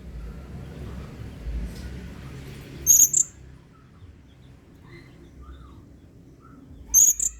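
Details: Lively 'main singa' singing by a blue-crowned hanging parrot, used as training material for other birds: two brief paired shrill squeaks, about four seconds apart, over a quiet background hum.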